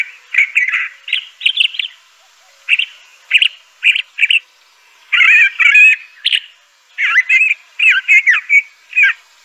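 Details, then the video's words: Crissal thrasher (Toxostoma crissale) sings a string of brief varied phrases, clipped chirps and burry warbles, each separated by short gaps, the pattern shifting from phrase to phrase. "Crissal Thrasher bird song.(Toxostoma crissale)."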